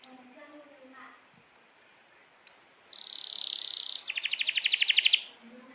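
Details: Canary song used to tutor young birds: soft scattered notes and quiet upward sweeps, then a loud buzzy phrase followed by a fast, evenly pulsed trill.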